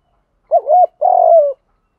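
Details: Lone spotted dove coo for stimulating a decoy bird: a quick wobbling first note and a drawn-out mellow second note that sinks slightly at the end.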